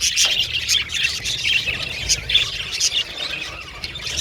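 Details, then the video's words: High squeaky chirps and sharper squawk-like notes from budgerigars stand out above a softer, steady twittering background of many birds calling at once. "Beautiful Budgies Chirping Sound"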